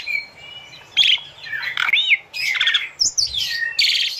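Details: Tutor recording of an Asian pied starling for training captive birds: a long thin whistle, then loud harsh bursts, wheezy upslurred notes and scratchy chatter broken by brief pauses.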